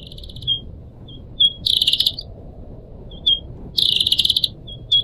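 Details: Captive pied triller song, chosen from four pet birds of different owners for tutoring other songbirds: short thin whistles around two seconds apart, then two bursts of rapid buzzy chatter, over a steady low trickling-water hiss.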